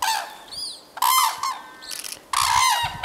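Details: Morning arrival of red-crowned cranes at the Akan International Crane Center, 21 January 2024. Loud, brassy, harmonic trumpeting calls come in two long bursts with short, higher notes between them. Several birds call together.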